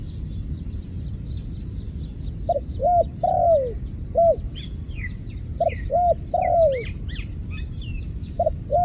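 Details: ['Repeated coo phrases of a ground dove, two trapped and one escaped, each of short hollow notes ending in a longer downward coo, about three phrases, under busy high chirping from other birds and a low murmur.']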